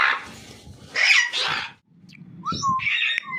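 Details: A pet macaw parrot gives harsh, raspy squawks, then clear rising whistles near the end, over a low background hum.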